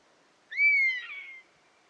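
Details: Buzzard calling in its natural habitat: one clear, mewing whistled cry that rises sharply, then holds and slowly slurs downward for about a second before stopping, over a quiet background.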